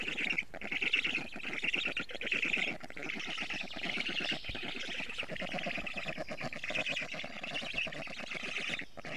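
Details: Black stork at its nest in Estonia, a parent bringing in a lot of food, afternoon of 12 June 2018: steady run of rapid, harsh, buzzy pulsed calls, rising and falling in loudness without pause.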